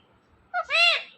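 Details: Indian ringneck parakeet speaking a single short word: a quick clipped onset, then a louder, drawn-out, harmonic, voice-like syllable lasting about half a second, in a quiet room.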